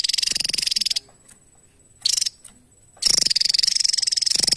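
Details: Javan tesia singing a lively gacor song used as a master for training other songbirds: very high, rapid buzzy pulse trains that stop and restart, with two long bursts around a short one and silent gaps between.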